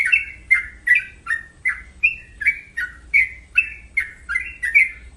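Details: Sooty-headed bulbul song of quick, liquid, warbled notes rising and falling, repeated in a steady flow of short phrases over a faint low background hum.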